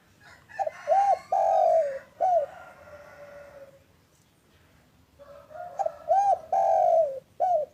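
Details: Spotted dove, a local bird, cooing on an afternoon, played to prompt other doves to call: two soft cooing phrases of short arched notes and a long sliding coo, separated by a quiet gap.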